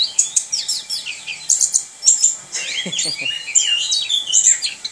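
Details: Caged orange-headed thrush singing a varied, fast medley of high chirps, trills and downward slurs, with a brief lower harsh sound in the middle.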